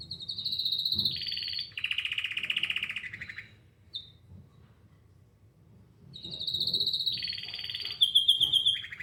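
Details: Singing canary: a high buzz leading into a rolling, lower trill, a short pause with a single chip, then the phrase repeated and closing with quick high twittering notes.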